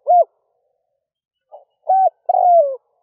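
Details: Decoy spotted dove calling in the early morning to lure wild doves. A low cooing note ends, then a faint soft note, a steady coo and a longer coo that slides downward, with no other sound.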